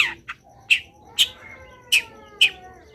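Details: Long-tailed shrike singing vigorously: short, sharp high chirps about twice a second, with a faint thin whistled tone in the background.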